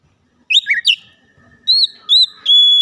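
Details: Brief Oriental magpie-robin phrase aimed at triggering other birds to sing: a few rapid twisting chirps, then a series of pure steady whistles, the last one long and flat.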